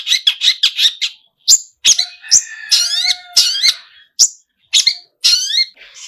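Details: Long-tailed shrike in active song full of mimicked fills: a quick series of sharp chips, then varied whistled and buzzy phrases with rising and falling slurs, separated by short gaps.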